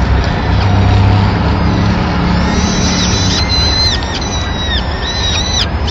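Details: Peregrine falcon nest in Madrid, 25 April 2016, with the female bringing a pigeon and feeding the chicks; a low rumble and hum dominate at first, then a run of level whistled calls with falling ends in the second half.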